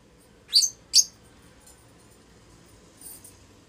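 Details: Mating in their house, a strongly bonded adult pair of lutino Fischer's lovebirds utter two quick, piercing high chirps, then a softer faint chirp two seconds later against a quiet background.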